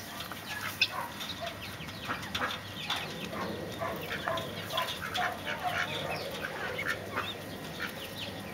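A flock of Mexican speckled bobwhite quail keeps up a busy patter of short clucks, chips and soft chirps, overlapping throughout against a faint background hum.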